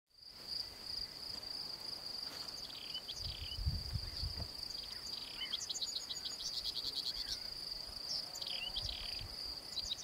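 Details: Whinchat singing in Puszcza Sandomierska, Buda Stalowska, Poland, 2018: short, scratchy phrases of quick repeated notes and brief whistles over a steady high insect buzz and some wind rumble.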